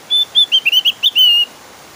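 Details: Javan grey-throated white-eye in lively, insistent song, used as a lure to set other white-eyes singing: a quick run of about eight clear, high whistled notes over a second and a half, the last one drawn out, then quiet.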